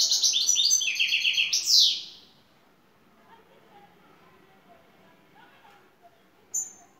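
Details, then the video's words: European goldfinch from Turkey, a lead bird singing in the şakşaklı style: a loud, rapid, high twittering burst of jangling notes for about two seconds, then near silence with one short high note near the end. "Baş kuşu 🇹🇷 Şakşaklı Saka kuşu"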